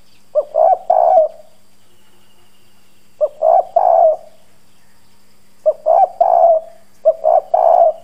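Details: Decoy spotted dove with a husky 'giọng đồng' voice, strong 'gù' cooing meant to draw in wild doves. Four low phrases of a short note and two longer throaty coos, spaced unevenly with quiet pauses and a light background hum.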